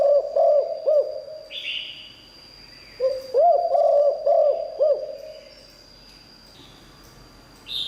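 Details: Spotted dove decoy bird with a 'liu tan' voice, used to draw in wild doves. Two phrases of low cooing notes with a rounded, arched quality, four to five coos each. A short buzzy higher sound and a thin steady tone run behind.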